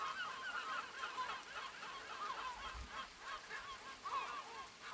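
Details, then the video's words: Many gulls calling together early in the morning before sunrise in heavy rain: a steady overlapping chorus of harsh, mewing cries over the constant hiss of falling rain. "Sound of rain & seagulls"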